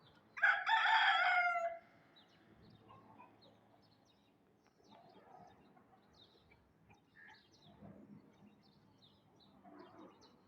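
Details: Aseel rooster crowing in the morning: one loud, harmonic-rich burst of about a second and a half, followed by faint scattered small-bird chirps and low background noise.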